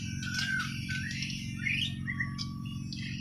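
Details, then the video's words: White-rumped shama from Borneo (Kalimantan), natural song: varied whistled phrases and slurred notes around mid-high pitch, with a steady low hum throughout. "Kicau Burung Murai Borneo island"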